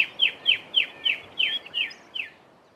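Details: Southern tchagra, either its warning call or its typical song: seven clear, downslurred whistled notes about three per second, trailing off and slowing slightly at the end; otherwise quiet.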